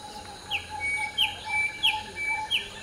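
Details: Common hill myna (Gracula religiosa) at dawn, preening and joining the morning chorus: crisp downward chirps repeated roughly every two-thirds of a second, with a thin sustained whistle behind them and a low steady background hum.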